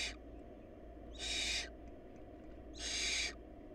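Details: Barn owl nestlings in a family short of food: harsh, noisy hissing bursts about half a second long, roughly every one and a half seconds, one cut off at the start, over a steady low hum.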